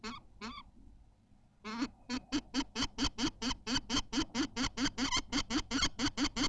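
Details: Nesting common kestrel in Théding, 14 May 2023, during the laying of a white egg: after two opening notes and a pause, a fast even series of about twenty harsh, nasal calls at roughly four or five per second.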